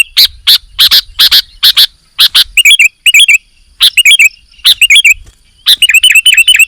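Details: Sooty-headed bulbul song: a run of loud, sharp, broadband clicking bursts opens, then bright warbled whistle phrases follow in short groups, becoming a dense, fast chatter of repeated notes at the end.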